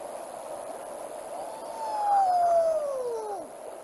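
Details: Pel's fishing owl, a bird more often heard than seen, gives one long drawn-out whistled wail that slides slowly downward and fades, over a steady faint hiss.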